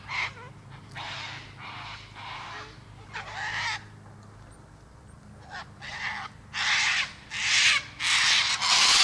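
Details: Cockatoo screeching in a series of raspy bursts, softer and spaced out at first, then louder and closer together toward the end, with a low background hum.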